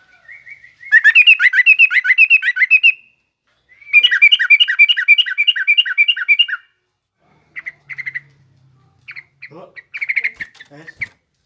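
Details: Yellow-vented bulbul, garuda type, singing rough ngriwik chatter meant as a lesson for young bulbuls: two long bursts of rapid, repeated bright chirps separated by silence, followed by scattered short note clusters.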